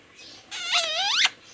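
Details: Pet baby parrot, a green ringneck kept indoors in India, talking in a high, nasal, harmonic-rich voice, one drawn-out phrase with a falling then rising slide, like a word from its begging for roti.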